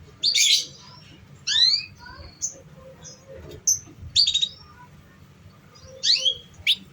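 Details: Canary song played as a lure for young canaries still learning to sing: loud buzzy chirps and slanted whistled sweeps in separate bursts about a second apart, short pure whistles between, faint hum beneath.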